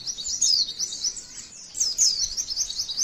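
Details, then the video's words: Female white-eye delivering a long 'tembakan' song for training other white-eyes to sing: shrill rapid chirps with bright slurred whistles, easing off at mid-clip, then bursting back into dense high twittering. "MASTERAN PLECI TEMBAKAN MANTENAN PANJANGGGGGGG TEMBAKAN UNIK"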